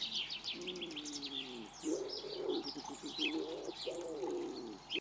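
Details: Male common wood pigeon cooing beside a female pheasant in Recke, Germany, on 11 April 2021: low hoarse cooing phrases in a steady series, with high chirping songbirds over the top throughout.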